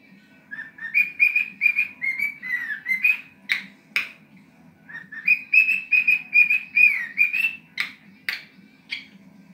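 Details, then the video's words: Pet cockatiel, one and a half years old, singing until it tires: bright warbling whistled phrases of sliding notes, rising and falling, delivered in two bursts separated by a short pause, with a few sharp higher chirps between them and a low steady hum underneath. "Nimfa Joca - Ispraznila se baterija!"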